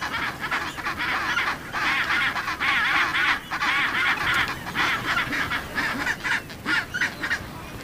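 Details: Chinstrap penguin giving loud, harsh braying calls in rapid wavering pulses, repeated in bursts of about one second with brief gaps, with a rough noisy background.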